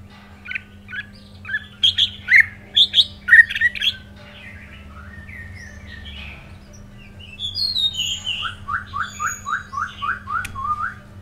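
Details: White-rumped shama, a bird one moult old, singing: loud varied whistled phrases and sharp notes in the first four seconds, a quieter stretch, then a fast series of repeated down-slurred whistles near the end over a steady low hum.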